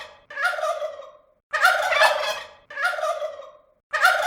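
A turkey gobbles in four bursts, each a rapid, rattling, harsh warble about a second long with short pauses between; nothing else is heard.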